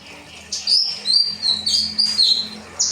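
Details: Kinoi bird with a rambatan phrase used as training material for caged birds: a tumbling run of high, varied whistles, some dipping and rising, packed closely together over three seconds.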